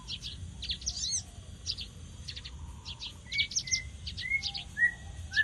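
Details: Javan bush lark giving quick bursts of high buzzy twitters mixed with short level whistles, in an irregular, lively pattern against a quiet background.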